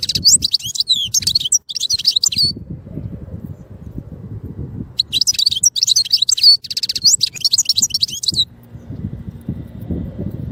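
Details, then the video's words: European goldfinch song in two bursts of fast, tinkling high twitters and trills, separated by a pause filled with low rumbling background noise. "chardonneret élégant EU"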